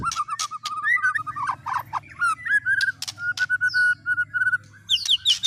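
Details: A white-rumped shama song carrying canary, lovebird and speed cililin filler phrases. It has mid-pitched whistled notes repeated in quick series, broken by sharp higher chirps and clicks, over a steady low hum.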